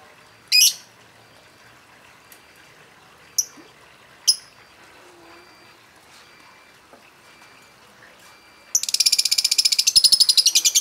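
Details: Lovebird used to goad other birds into singing: one harsh shriek and a few thin ticks, then a fast rattling chatter of rapid repeated notes, the long ngekek style.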